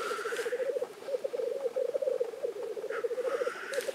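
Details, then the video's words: Black grouse lekking in Innvik, 2014: constant throaty bubbling cooing overlaid at the start and again near the end by harsh, wheezy hissing calls. "Orreleik i Innvik 2014"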